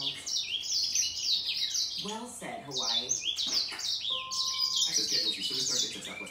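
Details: Grey singer finch in a song duel with a green singer, pouring out fast high twitters and sliding whistles while a person talks briefly in the middle.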